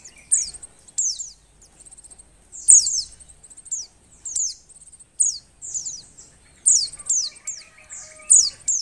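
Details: Oriental white-eye female in breeding condition, calling to stir males into singing: bursts of high sharp downslurred chips and short rapid trills roughly every second, with brief quiet gaps and a faint lower twittering later.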